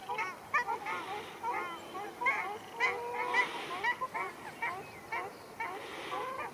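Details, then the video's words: Ruddy shelducks clash at Arucas, Gran Canaria, on 13 February 2021, producing dense, overlapping nasal honks from several birds, with occasional hissy bursts among the calls. "Pelea de Tarros canelos"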